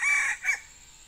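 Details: Wild male junglefowl answering a decoy during a pikat luring session: a short, loud, two-part crow, a strained harmonic phrase that breaks and trails off within a second, with a constant high insect hum behind it.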